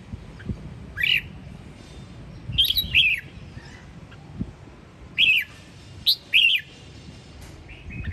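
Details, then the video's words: Sông Kon red-whiskered bulbul from Quảng Nam, Vietnam, singing in the morning: short bursts of two or three clear, slurred whistled notes, repeated about every one to three seconds, separated by quiet pauses with soft low background noise. "Chào mào Sông Kon: một kiệt tác mà mẹ tự nhiên ban tặng"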